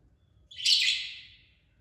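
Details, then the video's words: Parrot giving one harsh, scratchy high squawk of about a second that fades out, in a quiet indoor setting. "Parrots talking and having fun, natural sounds"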